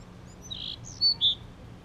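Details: Male Bewick's wren guarding his nest gives three short, high notes. The first is soft and buzzy, then come two brief, clearer whistled notes, all over a low background hum.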